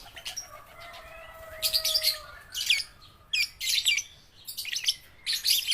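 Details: Baby and balibu lovebirds practising their song: five separate bursts of shrill, scratchy chatter spaced about a second apart, with a few thin whistled tones and a soft low hum between them.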